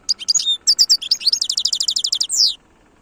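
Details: European goldfinch singing in the khalwi (wild) style, Algeria, 2022. Varied sharp chirps lead into a long run of about fifteen evenly repeated high liquid notes, ending in a downslurred buzzy note. The background is quiet.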